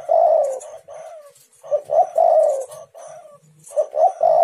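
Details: Spotted dove calls played to draw out other doves: repeated low, rough coos in clustered phrases, a long falling coo near the middle, and further short coos closing the clip.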